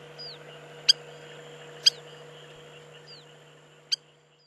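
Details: A Spur-winged lapwing (Vanellus spinosus) gives three sharp, metallic ticks at irregular one- to two-second gaps, with faint thin slurred notes and a low steady hum behind, at Agamon Hula, Upper Galilee, Israel.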